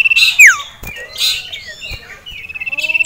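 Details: Agitated male sirtu, caged, reacting to a rival and a female: a loud descending whistle, then harsh bursts and warbling, ending in a rapid pulsed trill.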